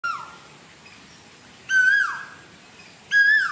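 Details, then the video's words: Cuckoo singing in Sri Lanka, June 2024: loud, clear whistled notes, each swelling slightly then dropping away, repeated about every one and a half seconds over a soft hiss. "Cuckoo singing"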